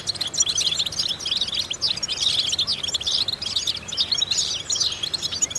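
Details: Singing European goldfinch from a vocal exercise recording: dense, unbroken run of bright, tinkling twitters and quick chirped notes with little variation in loudness throughout.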